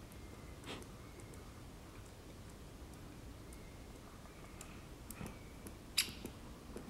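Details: Great spotted woodpecker tapping at a pine cone on 28 February 2022: a few sharp, dry knocks at irregular intervals, with a steady low hum behind.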